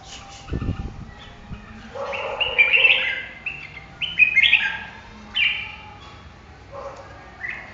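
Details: Red-whiskered bulbul singing a lively, varied string of loud whistled phrases, rising and falling notes following one another with brief gaps, plus a low thump near the start.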